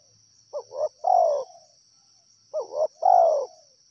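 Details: Wild spotted dove cooing: two short quick notes, then a longer, fuller coo that slides downward. The phrase comes twice, about two seconds apart, over a steady high-pitched whine.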